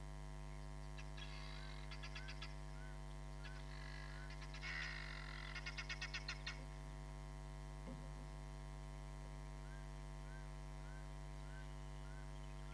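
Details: Hamerkop filmed by a live cam at Nkorho Bush Lodge on 31 July 2021, giving several short series of fast, high yelping pulses, the last bout loudest, over constant low mains hum.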